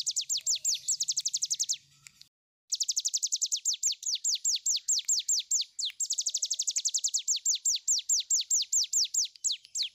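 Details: Tiger shrike singing a long 'ngebren' burst: fast series of sharp, high descending sweeps repeated in long runs, broken by short pauses, one nearly silent gap near the start; faint low hum early on.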